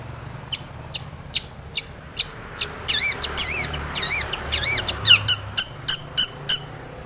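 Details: Shrike song stuffed with mimicked tomiceng phrases, meant to provoke other long-tailed shrikes: sparse thin ticks, then rapid wavering looped whistles and sharp notes in a dense run.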